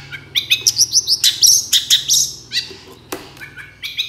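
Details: Long-tailed shrike song meant to lure other shrikes into replying: a lively run of sharp chirps, high whistled notes and short rising slurs, delivered rapidly and irregularly, with a faint low hum behind.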